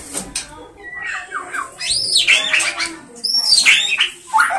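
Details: Oriental magpie-robin singing a varied run of loud whistled phrases: short slurred notes at first, then sweeping arched whistles that rise and fall, mixed with brief harsher chirps and pauses between phrases.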